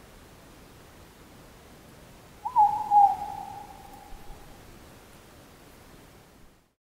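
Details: A morepork, named for its distinctive call, gives one drawn-out, hooting note that starts strong and slides slightly lower over about two seconds, against a quiet, hissing night background; Mt Karioi, North Island, New Zealand.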